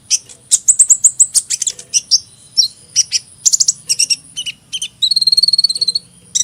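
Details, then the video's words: High-pitched hummingbird singing. Quick runs of thin, squeaky chips and downslurred notes are followed by a fast, buzzy trill of repeated ticks near the end. "Kicauan Burung Kolibri"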